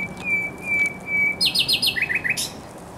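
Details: On 24 April 2022 at the Żerań Canal, a thrush nightingale sings a drawn-out pure whistle, then a brisk series of about seven loud, stuttering two-part notes that finish in a sharp high burst.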